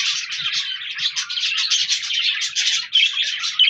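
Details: Pet parakeets (budgerigars) chirping in a flock on 14 January 2024, pulsing bursts of buzzy warbling and sharp chirps, a few faint thuds underneath.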